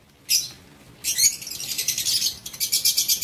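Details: Lovebirds in an aviary on 19 September 2023: one sharp chirp, then a dense buzzy chatter of rapid, high, rasping notes pulsing several times a second to the end.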